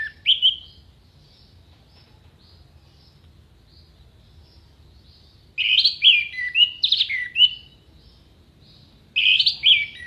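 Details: Orange-headed thrush (anis merah) with clear, sharp tembakan phrases for contest birds: sparse bursts of bright, rising, slurred notes scattered across ten seconds, with long quiet pauses between them.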